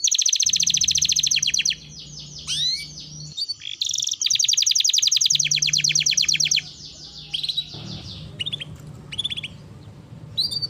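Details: Lively canary singing for bird training: long fast rolling trills of high buzzy notes broken by short gaps, swooping whistled slurs and scattered chirps, with a faint low hum beneath.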